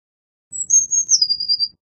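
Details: Eurasian blue tit (Cyanistes caeruleus), song.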